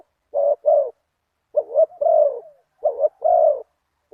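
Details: Spotted dove heard at spot 37 while decoy luring a target bird, a big-voiced one-kuk singer: three phrases of two coos each, the longer second note falling away, separated by pauses under a second.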